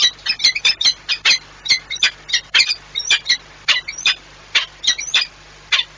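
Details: Courting peregrine falcons at Płock, 6 March 2021, give rapid, high, rasping call notes, about two to three per second, fairly steady through the whole stretch.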